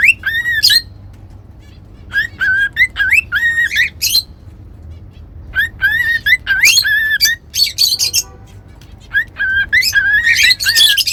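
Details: Domestic cockatiels singing during whistling training; repeated whistled phrases with rising slurs mixed with harsher squawky notes, in several bursts with brief pauses.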